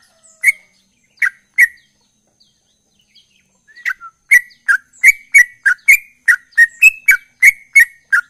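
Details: Ropel-type sooty-headed bulbul in persistent song: three spaced chirps, a pause of about two seconds, then a quickening run of about thirteen bright, clipped notes, some slightly rising, at roughly three per second.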